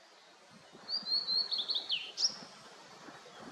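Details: Blue-and-white flycatcher singing in mountains with mist rising after rain: a clear, high whistled phrase of warbling notes that slides downward, then ends in one sharp, bright high note, over a soft hiss of background noise.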